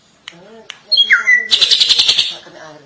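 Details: A drongo, called srigunting, in extended gacor song: a clear falling whistle followed by a fast, loud chattering rattle, with soft human voices murmuring underneath.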